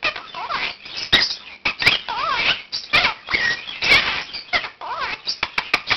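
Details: A one-year-old Quaker parakeet kept indoors calls at 7 am, rehearsing words and phrases it has learned. Dense scratchy babble with wavering squeals and short clicks, while the household's other birds join in.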